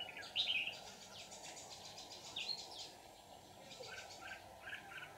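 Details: Red-whiskered bulbul used as a lure bird for trapping at the start of the season on 18 June 2019, singing competitively. Several short, bright warbled phrases, loudest near the start, then quieter scattered notes over a steady low hum.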